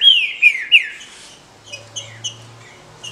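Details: Female green-winged saltator, kept legally in captivity, with calls for stimulating males: three quick downslurred whistles in the first second, then soft scattered chips and a faint low hum.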